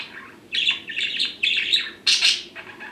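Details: Pet budgerigars, two males born June 2019, kept indoors and separated from each other, calling: bursts of bright, scratchy chirps and squawks in short phrases with brief gaps, a louder harsh burst near the end.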